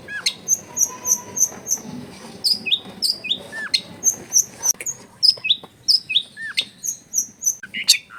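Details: Long-tailed shrike in steady 'gacor full isian' song, used as a tutor to draw other shrikes into singing: high thin notes repeated rhythmically, alternating with short downslurred whistles.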